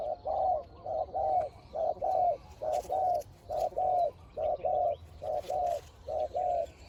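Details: Fierce spotted dove in a decoy-luring contest, cooing steadily: a regular run of mellow paired hoots, each a short note then a longer one, repeated about once a second with even spacing, little else heard.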